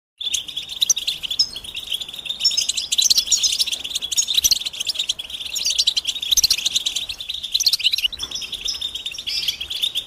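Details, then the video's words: European goldfinch mating and readiness calls, used to prompt silent males to sing: dense, high twittering with rapid chirps and tinkling notes, nearly continuous, with short dips around the middle and near the eighth second. "بتبتة الحسون علاج سكوت الحسون نذاءات التزاوج والتجهيز"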